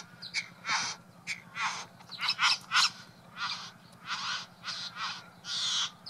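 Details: At his flower- and blue-trinket-strewn bower, a male Satin Bowerbird keeps up his raucous display for a female: a long series of harsh, buzzy rasps, some doubled, spaced fairly evenly over six seconds.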